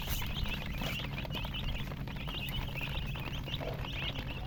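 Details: Baby chicks keep up rapid thin high peeps in a busy overlapping chorus, partly masked by scratchy rustling and pattering noises and a low hum.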